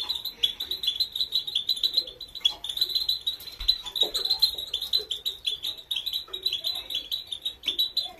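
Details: Female European goldfinch singing a motivational training song, a continuous run of quick, high chirping notes that hardly pause, with faint lower sounds in the background.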